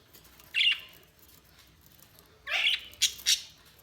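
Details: Budgerigars chirping: a single harsh, scratchy chirp, then a quiet pause, then a burst of three rough, squawky notes in quick succession near the end.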